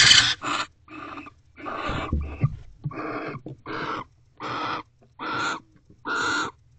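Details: Barn owls in nest box C during a night visit at 12:44 am on 29 December 2023, as the returning male mates with the female and moves to the door; a series of harsh, hissing screeches repeated about every half second, with some scuffling noise.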